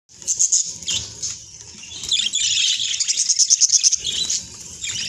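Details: Budgerigars chirping while being bathed; busy high-pitched twittering and sharp chirps over a background of splashing and rustling noise.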